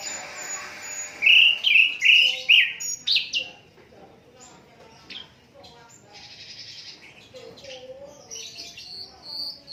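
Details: Unedited song of an Asian brown flycatcher, recorded for teaching other songbirds. A burst of rapid, bright whistled slurs and chirps opens the passage. After that come quieter, scattered high twitters and a soft, low warbled note.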